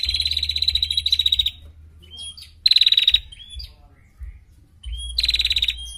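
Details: Female prinia singing tight, rapid trills, a tutor recording meant to teach other songbirds. Three bursts of dense, high, rattling pulses, the first about 1.5 seconds long, separated by short thin whistles and chips, over a low background hum.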